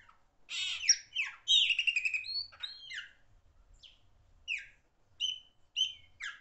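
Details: Loud pássaro preto song: an opening cluster of rich whistles and harsh buzzy notes, followed by spaced single whistled notes, some rising and some falling, about three a second.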